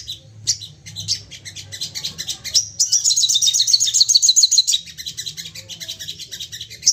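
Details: Excited Crested jay calling in rapid volleys. Scattered high chips lead into a loud, fast, buzzy rattle of about two seconds, followed by a softer run of ticking notes.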